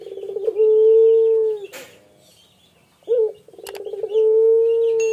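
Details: Two drawn-out steady coos from a singing male spotted dove, separated by a brief pause and a single short clipped note, each long phrase opening with a soft rapid stutter.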